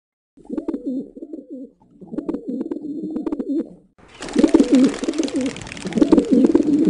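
A wild pigeon gives low, rolling, throaty coos in four phrases of about a second each. A steady hiss of wind or noise joins halfway.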